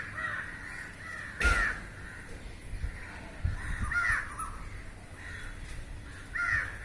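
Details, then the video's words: A large crow flock on a rooftop hunting flying insects; three prominent rasping caws stand out above a background of softer cawing, with a sharp knock early on. "Crows Calling and Feeding"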